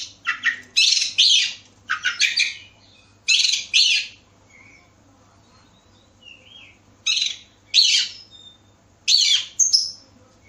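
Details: Oriental magpie-robin (kacer) lure from Bekasi for prompting other birds to sing: loud harsh buzzy bursts in pairs, with a few soft whistled notes between them and quiet pauses in the middle.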